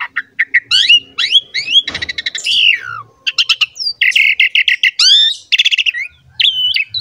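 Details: Asian pied starling (jalak suren) in energetic masteran song, used as training audio to coax young, lazy or wild-caught starlings into singing: varied whistled slurs, rising and falling notes, harsh buzzy bursts and rapid chattering trills.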